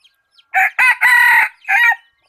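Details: Decoy chicken kept for luring birds crows in four loud, hoarse segments over about 1.5 seconds, the longest in the middle, against an otherwise silent background.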